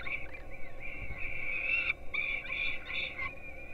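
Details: Peregrine falcon young at a nest in Gdynia, Poland, filmed by live webcam at 4:21 am while getting breakfast: drawn-out, wailing, harmonic begging screams, broken by short gaps, with low background rumble.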